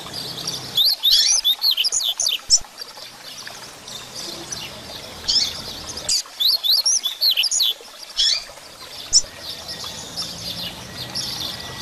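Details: Grego-style song of a Double-collared seedeater, meant to excite and train other caged birds. Two loud phrases of quick, high, slurred whistles, each about two seconds long, are separated by short pauses and a few softer single notes.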